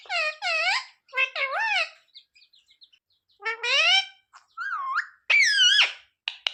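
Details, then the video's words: Talking pet parrot asking for roti: paired harmonic curving syllables, a stretch of soft ticks, then louder sweeping speech-like calls and a high swooping whistle. "Parrot talking mummy mithu ko roti do"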